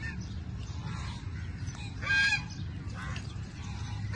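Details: Crows snatching food from each other, squabbling over a meal; a loud harsh harmonic call bursts out midway, with fainter rough calls shortly before and after, over a constant low rumbling background noise.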